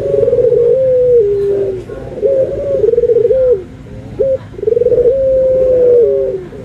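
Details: Barbary dove, white and brown birds compared, cooing: long, low, steady hooted coos, each slightly falling at the end, given in three drawn-out phrases with a short clipped note between them; indoor setting.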